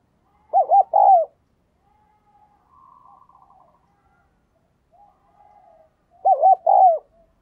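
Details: Decoy spotted dove calling to lure wild doves: two loud, clipped cooing phrases of quick, hooked notes, about six seconds apart, with faint, softer murmuring coos between them in a quiet setting.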